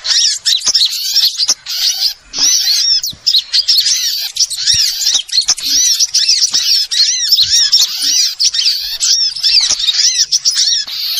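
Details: Bird-trapping lure sound of small birds: busy twittering flock, high squeaky chirps and arched whistled notes tumbling over one another without pause, a few short breaks in the din.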